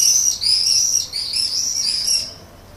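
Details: Common swift calling from a terracotta nest pot under a terrace roof in Leuven, Belgium, 7 May 2016, evening, attracting a partner; a shrill, high buzzy scream in three drawn-out bursts, fading at the end.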